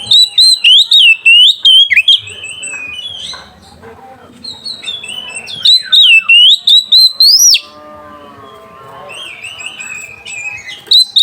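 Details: A magpie-robin in ngeplong song, calling a rival and serving as a lure for young birds: three bouts of sharp, quick whistled notes that climb in pitch, with quieter twitters and warbles in the gaps.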